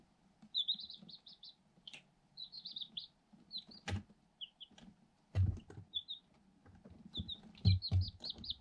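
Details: Group of eight day-old Light Sussex chicks hatched in an incubator, lively in a cardboard box; runs of high rapid peeps and trilled chirps repeating, with sharp pecking clicks and dull knocks, steady faint hum behind.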